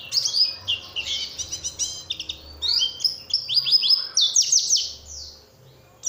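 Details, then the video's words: Lure song for Oriental white-eyes, meant to draw a response from other birds of its kind: continuous rapid, high-pitched twittering of chirps and short trills, ending in a pause. "pancingan suara untuk pleci agar mau kluar isian"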